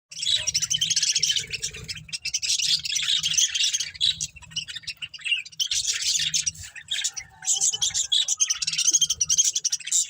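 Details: Breeding pair of budgerigars in a budgie family, giving dense, buzzy high chirping and warbling in long bursts with short pauses throughout.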